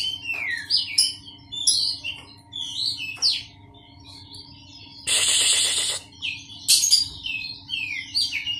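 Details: Captive Oriental magpie-robin placed among other birds to calm its skittishness and get used to crowds sings a fast run of varied, sliding whistles and chirps, broken midway by a harsh, hissing burst about a second long.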